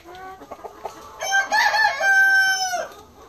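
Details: Black Ameraucana chicken: a few short clucks, then a long drawn-out crow held on a steady tone for over a second before breaking off.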